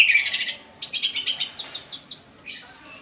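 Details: Orange-headed thrush in morning song that sets other thrushes singing; a dense burst of quick chirping notes, then a series of bright downslurred whistles repeated about every quarter second, ending with a softer phrase.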